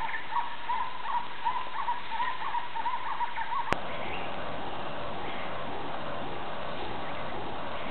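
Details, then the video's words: Asian barred owlet of subspecies bruegeli at Kaeng Krachan, Thailand, recorded 17 February 2007: a rapid run of short hooting notes lasting nearly four seconds, then silence over steady rushing background noise. "Chevêchette cuculoïde (Glaucidium cuculoides bruegeli, Asian Barred Owlet)"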